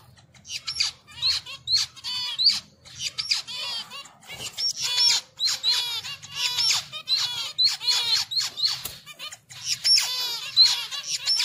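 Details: Finches calling while mating make a busy stream of scratchy, arched chirps. The notes are rich in harmonics and run in rapid clusters almost without a break, with a faint low hum underneath.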